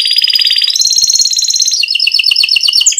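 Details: Canary in full rolling song, used as training audio to prompt other canaries to sing: rapid trilled rolls at steady pitch, then a higher sustained trill, then a fast chain of downward-slurred notes, loud and continuous throughout.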